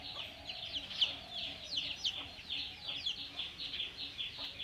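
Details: A pet myna, said to be trying to learn to talk, gives a steady run of harsh, scratchy chatter with squeaky high notes in quick rising and falling bursts, on a rainy day. No clear words come through, and a faint hum sits underneath.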